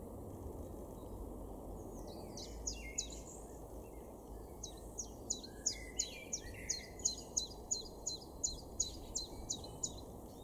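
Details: A common chiffchaff sings in a garden in Weener, East Frisia, far northwest Germany, in April 2022. It gives a steady string of high, sharp notes alternating in pitch, about two to three per second, over a constant low rumble, with softer bird notes early on.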